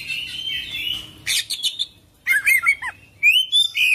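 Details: Oriental magpie-robin, local name kacer, singing: a drawn whistle, then harsh buzzy bursts followed by quick looping whistled notes and a rising whistle.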